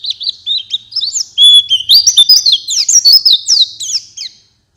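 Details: Night-and-morning lure recording of a white-eye: short high chirps gather into a loud, fast, sliding twitter that runs on for about three seconds before stopping.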